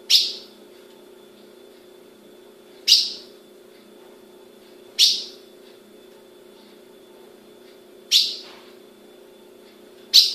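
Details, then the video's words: Female Ultramarine grosbeak in captivity in Brazil repeating a sharp, high chip call, five notes spaced two to three seconds apart, over a faint continuous hum. "Fêmea de azulão piando"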